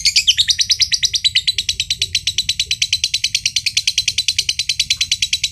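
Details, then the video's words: Long ngekek trill from a green standard (josan) lovebird kept for contests in Mojokerto: an unbroken run of fast, evenly repeated scratchy notes lasting over five seconds. "LOVEBIRD JOSAN NGEKEK PANJANG BIKIN BURUNG IKUTAN NGEKEK"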